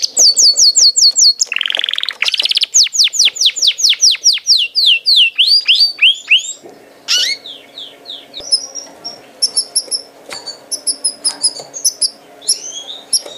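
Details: Canary song in a long run of rapid descending whistled notes, a brief buzzy section, then faster high chattering trills and scattered chirps, with a faint steady low hum in the second half.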